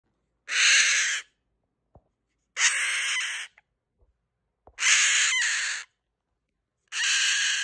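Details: A pet Goffin's cockatoo screaming for attention gives four harsh, shrieking screams, each about a second long and roughly two seconds apart, with a few soft clicks between them.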